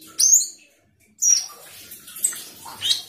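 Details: Asian glossy starling (Aplonis panayensis), a glossy black, flock-living starling, giving bright, high whistled bursts and sharp chirps in quick, varied phrases, broken by a short silence.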